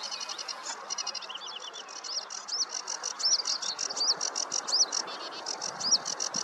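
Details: Sedge warbler song from a meadow on a warm morning: fast grating chatter interspersed with clear rising-and-falling whistled notes repeated roughly every second in the second half.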